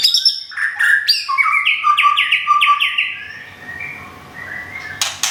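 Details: Caged white-rumped shama of the Thung Song type from Thailand, recently moved and finishing its moult, singing a loud, varied song of whistled phrases and rapid descending slurred notes repeated in quick series, with sharp clicks.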